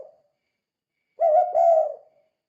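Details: Spotted dove in the kuk 2 style, used to lure other doves: a single drawn-out, slightly wavering low coo lasting under a second. The tail of an earlier note is heard at the start, with silence around it.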